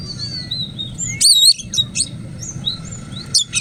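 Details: Tamed Oriental magpie-robin, taken from the forest, gives a long sustained whistle, then a loud wavering burst and quick bright whistled phrases, against a low background hum.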